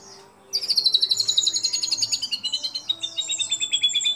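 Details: White-rumped shama, a keen singer mimicking sooty-headed bulbul, cililin, lovebird and canary, recorded to coach other shamas: a long, very high trill slowly sliding downward, followed by sweeping high slurs and further rapid trilled notes.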